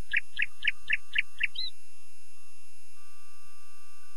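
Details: Nightingale delivering a quick series of six harsh, chattering notes about a quarter second apart, ending in a short high twist, with faint low rumbling behind.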